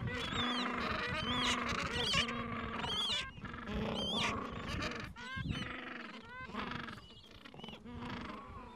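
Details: Gentoo penguins calling in their Falkland Islands breeding colony, chicks two to three weeks old, mild afternoon; repeated honking, braying calls in quick series from several birds, with thin high squeaks and a constant low rumble.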